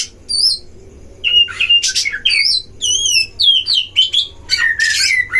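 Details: Oriental magpie-robin duel song at a breeding enclosure, aimed at provoking other magpie-robins: clear wavy whistled phrases repeated with pauses, mixed with harsh noisy bursts and quick descending notes.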